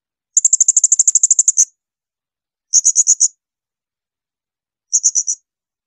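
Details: Blue-crowned hanging parrot song meant for teaching songbirds: a long rapid burst of piercing high notes followed by two shorter groups of four to five, with clean silence between.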